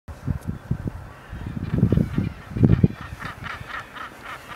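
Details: Common guillemots on Helgoland give low, growling, pulsed calls in rough bursts, some rising into harsher, higher moans.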